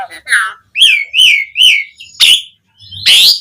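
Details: Asian pied starling song meant to prompt other starlings to answer: a burbling note, then three drawn-out whistled notes in a row, followed by two harsh noisy bursts.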